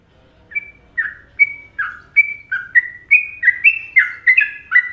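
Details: Indonesian sooty-headed bulbul masteran song in the well-liked Trucukan rhythm. After a brief quiet start come fluty, gurgling notes that alternate higher and lower and quicken toward the end, roughly three phrases a second.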